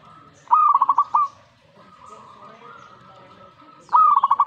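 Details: Zebra dove reacting to a master recording with two trilled cooing phrases about three seconds apart. Each is a rising note followed by fast, rolling pulses over a faint steady background tone.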